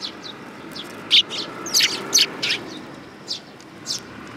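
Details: Sparrow with a hurt beak tip, Tenmangu shrine, 20 August 2022: a busy series of short, piercing high tweets, some doubled, loudest in the middle, against steady faint background noise.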